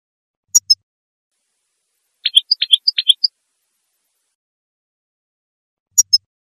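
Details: Breeding-season song of a female European goldfinch, meant to encourage males to sing and mate: a sharp high double chirp, a quick burst of about eight bright twittering notes, then another double chirp after a long pause.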